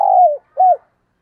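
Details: Decoy spotted dove calling in the morning: two low, soft coos, the first long and slowly falling, the second shorter and arched after a brief pause, heard against clean silence.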